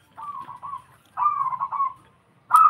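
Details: Zebra dove song: soft, rolling low coos in two trilled phrases, each a string of quick purring notes, followed by the start of a third, louder phrase.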